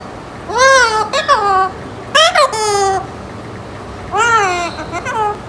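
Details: An 8-month-old pet Alexandrine parakeet, just starting to speak a few unclear words, talks in three short bursts of speech-like phrases with nasal, rising-and-falling syllables over about five seconds; the room is otherwise quiet.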